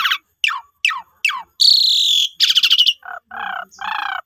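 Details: Asian pied starling song played as a lure to get other starlings singing: four falling whistled notes, a long buzzy rasp, a pulsed burst, then lower nasal grating phrases.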